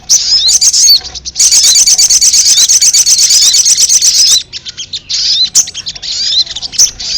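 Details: A ruby-cheeked sunbird lure sound for calling wild birds: a long, rapid, buzzy trill of very high notes lasting about three seconds, followed by scattered thin chirps and twitters.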